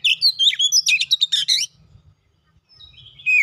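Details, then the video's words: Magpie-robin (kacer) lure song: a fast, dense mix of whistles and harsh chatter for a second and a half, a short silence, then a single long whistled slur. "KACER MACET BUNYI LANGSUNG NGEPLONG GACOR SEKALI PANCING"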